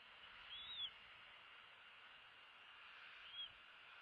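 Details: Two bald eagle eaglets in the nest at feeding time, February 16, 2016, with one biting the other's tail; one short high whistle that arcs up and down, then a fainter brief whistle, over constant broadband hiss.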